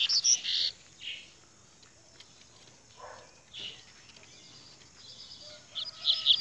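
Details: Rusty-collared seedeater singing in scattered bursts: bright, buzzy high chirps at the start, a lower burred note near three seconds, then clear high notes again toward the end, with quiet pauses between.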